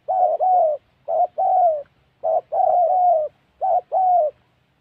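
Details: Trapping in the wild Central Highlands forest of Gia Lai, Vietnam: a spotted dove gives four paired coo phrases, a brief hoarse note then a drawn-out, gently falling coo, about once a second.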